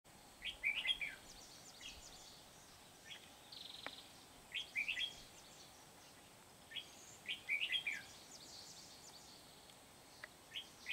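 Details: Red-whiskered bulbul in Vietnam, a wild bird of the Kim Bôi population being lured to a trap by a decoy: short warbled phrases of a few bright notes, repeated every second or two, over a steady background hiss.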